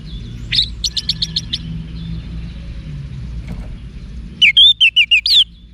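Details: Orange-headed thrush song for training cage birds: a quick series of high chirps, a long quiet gap, then a loud burst of five or six sharp whistled notes.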